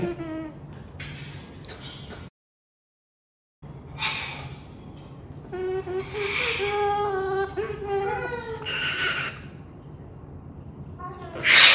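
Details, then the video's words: A Moluccan cockatoo sings in a wavering, voice-like warble of sliding tones, broken by a short silence and harsh screechy bursts at the start and end. "Moluccan Cockatoo singing"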